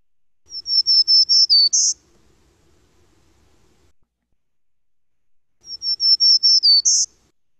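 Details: Black-throated Green Warbler, a spring migrant in southern Quebec, singing twice: a high run of about six buzzy notes ending on a sharper, higher note, each phrase about five seconds apart.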